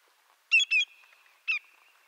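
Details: Greater yellowlegs of eastern North America: two quick ringing whistled notes in succession, a short gap, then a single third note, each sliding down slightly, in a quiet setting.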